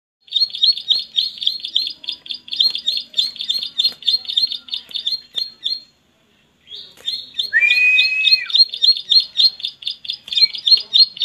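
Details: Bar-winged prinia, known locally as ciblek, singing loudly: a fast run of high, sharp chirped notes repeated several times a second, a short pause, then the rapid chirping resumes with a brief lower whistled slur.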